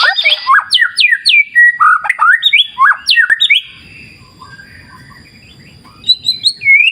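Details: White-rumped shama, used as a lure to get birds singing, delivers quick bursts of sweet, sharply slurred whistles and chattery notes, breaks off into a low hum for two seconds, then resumes with higher whistles.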